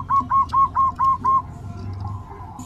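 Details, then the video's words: Bangkok zebra dove with a soft voice, a female calling a male: six clear, evenly spaced, whistled coo notes in quick succession, then fading to quiet background hum. "Perkutut Bangkok Suara Lembut"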